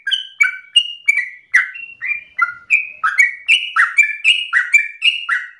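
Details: Sooty-headed bulbul singing the fast 'ropel' style nonstop, used as a master recording for teaching: clear fluty whistles alternating high and low, with downward-sliding notes crowding closer together toward the end.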